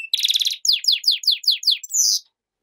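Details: Goldfinch-canary hybrid delivers a short phrase: a fast rattling trill followed by six evenly spaced downslurred chirps and a brief buzzy note, with no background sound.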